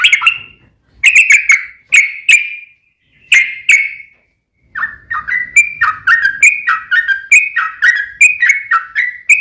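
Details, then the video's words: Sooty-headed bulbul in long 'ropel' song, used to provoke other bulbuls to sing; opens with a few separate bright chirps, then breaks into a quick run of rising and falling warbled notes. "trucukan gacor ROPEL PANJANG buat pancingan trucukan agar bunyi"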